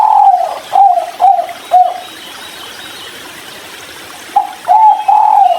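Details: Spotted dove of the 'kuk 3' style, drinking near river water, giving low, soft coos in a quick run of four, a pause, then three more, over a steady background hiss.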